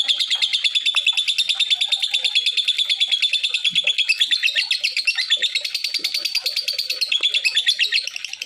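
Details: Long unbroken stream of harsh, rattling chirps from a lovebird, a call used to draw other lovebirds into calling; notes come quickly and evenly, rising slightly in pitch midway before fading at the close.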